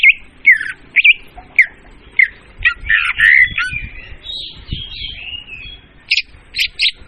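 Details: Leafbird lure calls: harsh squawky notes and slurred chips, a longer raspy buzz, and three sharp high notes at the end, with low background rumble.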